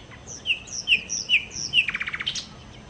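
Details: Nightingale (sikatan londo) gives four evenly spaced clear whistled notes about every 0.4 seconds, then a fast rattling trill of repeated pulses and a final sharp note.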